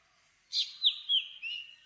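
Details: Black drongo, an all-black forked-tailed bird of tropical southern Asia; one short phrase of four notes, a harsh burst then clear whistled notes sliding downward, each a little lower than the last.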